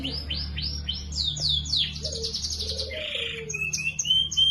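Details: Canary singing lively chirps with ornate phrasing, recorded as tutor song for other birds: a string of rising swept notes, then rapid repeated trill, a buzzy burst and thin high whistles, over low steady hum.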